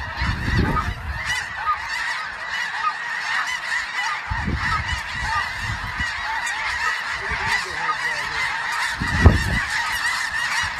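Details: Snow geese in a large calling flock, continuous overlapping honking blended into a constant chorus, broken by occasional low bumps and one sharp knock near the end.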